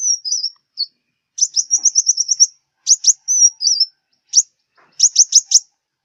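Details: Southern Vietnamese sunbird song, used as a lure for glue traps: high, thin, wavering whistles alternating with fast bursts of four to eight sharp, clipped chips, in clean silence.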